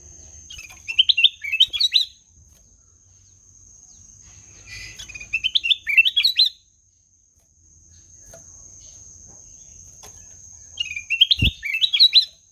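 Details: Ruby-throated bulbul, known locally as kutilang emas, giving melodious song: three short bursts roughly five seconds apart, each a quick run of bright, bouncy whistled notes stepping up and down, over a faint steady high hiss.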